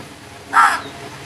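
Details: A single loud, hoarse caw from a crow, short and rasping, standing out clearly against a quiet background.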